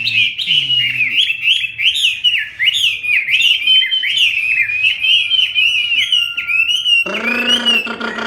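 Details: Hót xoè song from a bird performing its full sequence while fanning: fast, fluid warbled phrases that rise and dip without pause, a low hum at the start and a harsher broad note near the end.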